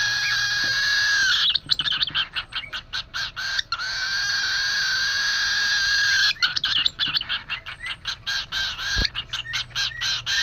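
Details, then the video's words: Hungry cockatiel chicks crying to be fed: a continuous harsh, hissing rasp broken into rapid repeated pulses, rising and falling in intensity, with a low steady hum behind. "The crying Cockatiel"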